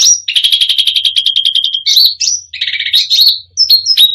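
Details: Cucak rante singing a full, varied song that rouses other birds: a fast run of repeated chattering notes, then abrupt high upslurred whistles and a lower rattling burst, with no pause.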